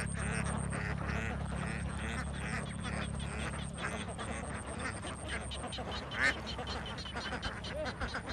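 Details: Large flock of young ducks on a Vietnamese farm, continuous overlapping quacks and nasal calls over a steady low machine-like hum, one sharper call standing out near the end.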